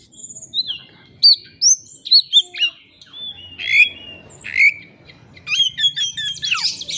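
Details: Oriental magpie-robin (kacer) rival-lure song: a varied medley of clear slurred whistles, chirps and buzzy squeaks, ending in a dense, fast chatter of high notes.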